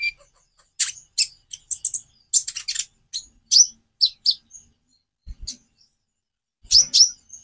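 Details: High, sharp chirps and short trilled bursts from a Konin (Van Hasselt's sunbird), delivered in irregular clusters with pauses, and a few soft low thumps.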